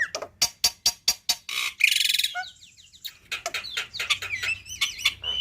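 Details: Training song of a black-winged myna for young birds to imitate: a series of sharp percussive clicks, a harsh noisy rasp, then varied twisting whistles and chatter.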